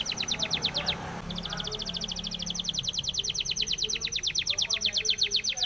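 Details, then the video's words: Spanish timbrado canary singing for canary training: a short fast trill, a moment's break, then an unbroken stream of rapid high chirping notes growing slightly louder over about four seconds. "SPANISH TIMBRADO SONG FOR TRAINING - canary training song"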